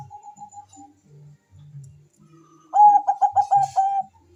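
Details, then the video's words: Zebra dove calling fast: faint soft coos at first, then from the third second a loud run of about seven quick staccato coo notes at one steady pitch, with low indoor rumble beneath. "suara perkutut bangkok gacor memanggil sangat cepat di sahut lawan cocok untuk pancingan"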